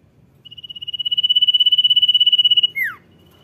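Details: Common iora in "gacor" form giving its "dor nyiul" song: a piercing, evenly pulsed whistle grows from soft to loud over roughly two seconds before dropping away in a brief swooping downslur, with low background rumble.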